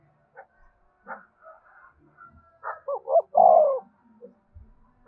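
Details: Spotted dove giving a prompting coo meant to make newly caught caged doves call along all day. One three-part phrase: two short hollow coos, then a longer, louder, falling croo. Faint scattered chirps sound around it.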